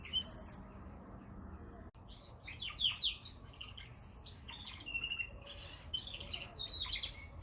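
A canary sings a fast, busy medley of high chirps, trills and whistled notes, continuing almost without pause after a brief quiet start.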